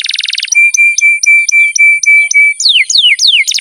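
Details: Canary song used as a training and lure recording for lazy birds: a fast buzzy trill, then a row of evenly repeated short whistled notes, then several steeply falling swept whistles.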